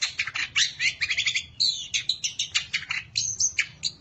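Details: Long-tailed shrike, a contest-winning songbird, used as a lure to stir silent rival shrikes: dense rapid chattering of sharp, high chirps and trills in fast pulses, with brief whistled slurs between them.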